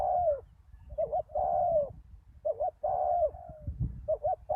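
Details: Decoy spotted dove calling at a ground lure site after a storm, with a deep-voiced wild bird: long, smooth, falling coos alternating with quick doubled hoots about once a second, with faint low background rumble.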